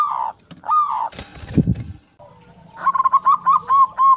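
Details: Perkutut, the zebra dove, in song as a lure for other doves: a couple of drawn coos, then a rough noisy burst, and finally a fast string of short, clipped cooing notes.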